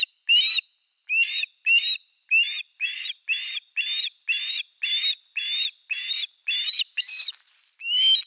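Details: An osprey at a Finnish nest on 4 August 2024, with a fish brought to the nest, gives a steady run of about fourteen shrill, slightly slurred whistled cheeping notes, roughly two per second, with no other sounds.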